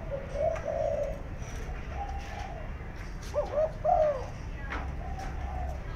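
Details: Spotted dove kept as a decoy bird for trapping, giving low, soft coos in short groups, with a quicker wavering pair of notes near the middle, against steady background hiss.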